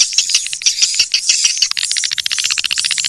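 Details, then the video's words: Wild swiftlet calls used as a lure: a dry, rattling train of very high clicks, about two per second at first, then speeding into a steady buzzy chatter. "SUARA PANGGIL BURUNG WALET ASLI DARI ALAM/suara bersih"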